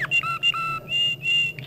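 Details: A canary sings its learned song, a run of clear, high whistled notes, each held for a fraction of a second with bright overtones, over a faint low room hum.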